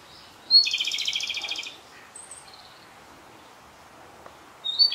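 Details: Japanese robin that stayed six days at a regular birding spot, singing close by on the last day of its visit: a sharp high opening note, then a fast rattling trill of about one second, followed by a quiet gap and another opening note.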